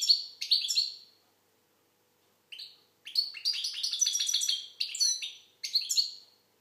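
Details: Algerian goldfinch, or maqnin, opening with a couple of bright chirpy phrases, a long pause, then a rapid, sustained jumble of high tinkling and buzzy twittered notes.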